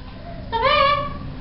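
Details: Amazon parrot, female, talkative after bath time, gives a single drawn-out harmonic vocal sound lasting about a second, starting with a quick upward slide and then holding steady, with a person's voice coaxing it to talk nearby.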